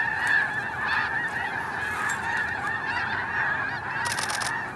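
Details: Snow Geese in an early flock take-off at Hagerman National Wildlife Refuge: a dense, continuous wall of overlapping nasal honks and yelps from many birds, steady throughout, with a burst of broadband rushing noise near the end.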